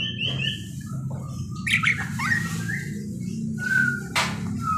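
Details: Parakeet vocalizing: a series of high whistled notes, slurred chirps and squeaky squawks, some rising, others steady, over a heavy low hum.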